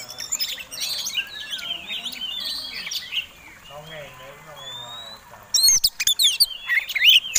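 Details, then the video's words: Fighting Oriental magpie-robin singing to provoke rivals while flaring its tail: busy twittering at first, a quieter stretch of low soft warbles in the middle, then loud sharp looping whistles and chirps burst in near the end. "Kacer Tarung Ngobra Ngotot Gayanya Eksotik Bikin Ngiler || Pancingan Mewah!!!"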